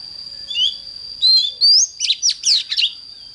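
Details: Oriental magpie-robin, 'căng lửa' morning song: soft whistled notes build into loud pure upslurred whistles, then a quick series of buzzy falling sweeps, with a constant high whine behind.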